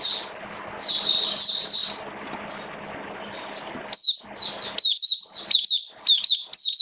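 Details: Caged Oriental white-eye in open song during wet rainy weather: soft buzzy high warbling at first, then crisp descending chirps repeated in quick bursts, steady background hum.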